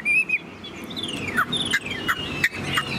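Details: Tame Chinese hwamei in a cage, tail spread, sings sparse sharp whistles and downward-swooping notes with short gaps between them, against a quiet, slightly noisy background.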